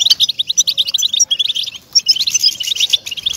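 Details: {'caption': 'European goldfinch singing, used as a stimulator for caged goldfinches: quick bursts of liquid, jingling chirps, a brief pause near the middle, then more tinkling twitter.'}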